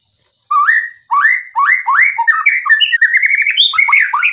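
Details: Murai batu (white-rumped shama) singing vigorously with a full repertoire of borrowed phrases: rising slurred whistles in quick succession, building into dense twittering and varied chips without pause.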